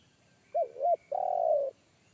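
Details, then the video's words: Deep-voiced wild spotted dove in forest, a one-kuk caller whose big bass voice made a young decoy dove shy away. One phrase: two short arched coos followed by a long, steady, rolling coo. "SUARA TEKUKUR INI‼️SUARA BESAR NGEBASS"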